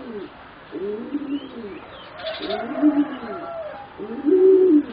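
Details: Juvenile singing zebra doves bred for song competition, about 3.5 to 4 months old, produce repeated low rolling coos in arched phrases, the last one louder and slightly higher, with a brief buzzy noise midway.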